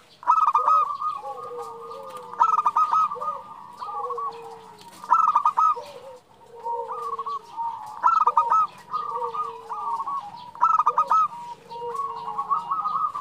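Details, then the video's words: Female zebra dove calling the male, a lure recording for kept birds: short bursts of rapid, staccato cooing notes roughly every two to three seconds, with a lower drawn-out sliding tone between bursts and faint chirps of other birds. "Perkutut betina memanggil jantan"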